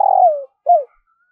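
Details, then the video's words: End of a morning luring call from a decoy spotted dove: a buzzy rolling coo sinking in pitch, followed by one short arched coo. "Tiếng chim cu gáy thúc và gáy gọi bổi vào buổi sáng"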